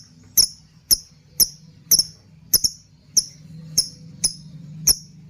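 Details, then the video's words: Lovebird giving bright, piercing single and double chirps about twice per second, a recording meant to teach other birds, with faint low hum behind. "Pancingan burung love bird # masteran burung, ngekekekeke"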